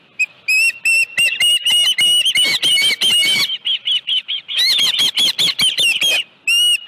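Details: Osprey at the nest with a live fish, 25 July 2018, about 5:23 PM: loud, sharp whistled chirps with harmonics, given in rapid runs with short breaks, strong throughout.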